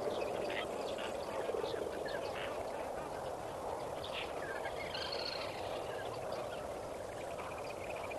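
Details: A massed flock of Lesser flamingos at Kamfers Dam, sunrise, 18 May 2024, keeps up a busy babble of short honking and gabbling notes, densely overlapping and irregular, with a continuous low rumble of distant birds beneath.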